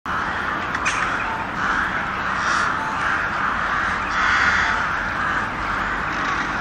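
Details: Crow giving harsh, hoarse caws in a steady rhythmic series, roughly one or two per second, running without pause through the whole stretch; a faint high click stands out near the start.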